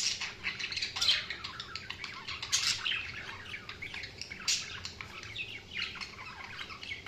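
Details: Budgies chirping in a soft, continuous warble of many quick scratchy notes, with a few louder squeaks standing out.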